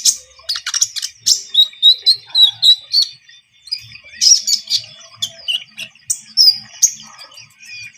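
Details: Energetic Javan munia song meant to lure birds into traps: steady strings of sharp, high chirps and squeaky twitters, about three notes a second, with a brief lull midway.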